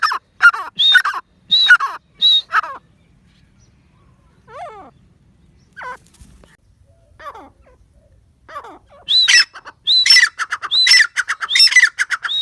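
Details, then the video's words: Grey francolin calling in loud bursts of harsh, rapidly repeated broadband notes at the start and end, with fainter, thinner descending notes in the quiet middle stretch. "Gray francolin | teetar ki awaz | Dakni teetar ki awaz"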